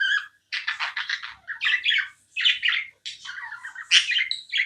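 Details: Pet budgerigar chirping nonstop: bursts of scratchy, warbling chatter with squeaky notes, broken by brief pauses, heard indoors.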